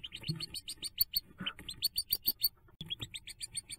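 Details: Hooded merganser ducklings on nest-jump day, 5 May 2024: steady, sharp, high-pitched peeps repeated several times a second by many chicks, with one short gap and light scratching.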